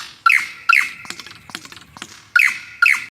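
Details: Superb lyrebird (Menura novaehollandiae), song.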